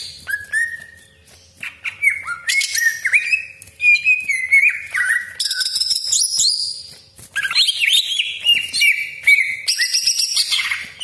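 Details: Greater green leafbird lure song, meant to stir other cucak ijo into singing and raising their crests: clear drawn-out whistles at first, then rapid bending notes and scratchy, buzzy chatter.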